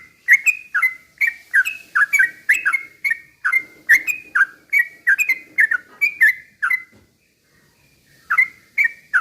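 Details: Slow rapid-fire singing of a yellow-vented bulbul used to provoke rivals: evenly spaced, bright slurred whistles, each dropping then lifting, with a faint low murmur beneath and a short gap near the end.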